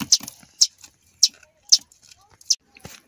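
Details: High, sharp chirps from a sparrow nestling fallen from the nest, five evenly spaced notes about every half second, with soft handling sounds.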